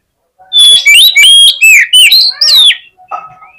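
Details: Oriental magpie-robin in full fighting song, used to stir rival magpie-robins into aggression: loud, rapid bursts of clear whistles and slurred notes sweeping up and down, about seven phrases in under three seconds, fading into softer lower notes.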